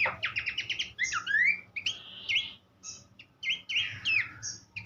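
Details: Song of a Horsfield's babbler, used to teach songbirds: opens with a fast repeated trill, then drawn-out whistles sliding up and down with brief gaps, a soft low hum behind.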